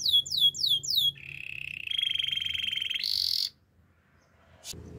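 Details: Canary training song: quick descending whistles lead into two low rolled trills, then a brief higher buzzy roll, followed by near-silence and a faint click.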